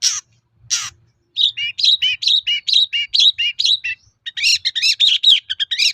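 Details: Long-tailed shrike song meant to make other shrikes reply: two harsh rasping bursts, then a quick run of warbled, up-and-down whistled notes, some mimic-like, delivered almost without pause.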